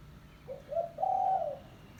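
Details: Single spotted dove lure phrase for attracting doves: two short rising coos, then a long, even, mellow hooting note that fades at the end.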